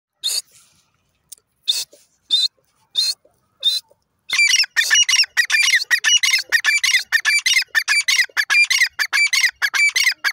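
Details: Desi teetar, a grey francolin: a few short high bursts, then a dense run of rapid harsh repeated notes, about one to two per second, several calls overlapping and continuing steadily to the end.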